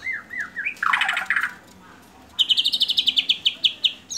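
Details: Medan-type white-rumped shama (murai batu), a lively caged singer used as a lure call: a few looping whistles, then a harsh buzzy burst, and a rapid series of sharp high chips repeated about five times a second.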